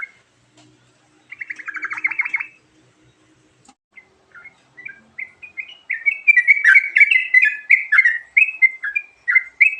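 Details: Sooty-headed bulbul giving a varied song used for luring birds, opening with a fast buzzy rattling burst, then a pause and sparse notes, before a dense, lively run of bright chirping whistles.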